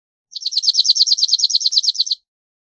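A cirl bunting sings a dry, rapid rattle of about eighteen identical high notes, evenly repeated for nearly two seconds on one pitch, with no other sounds.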